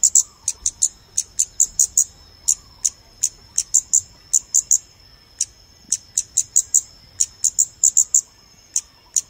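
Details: Scarlet-backed flowerpecker (Dicaeum cruentatum) call, used as a lure recording for bird photography: sharp, very high ticking notes in quick irregular bursts, several per second, over a faint steady high whine.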